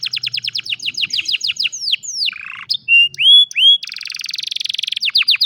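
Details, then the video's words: Old domestic canary in full afternoon song: a quick series of falling whistled notes, a long downward slur, clear rising whistles, then a fast buzzy trill and more falling notes. "Old Canary sings beautifully in the afternoon"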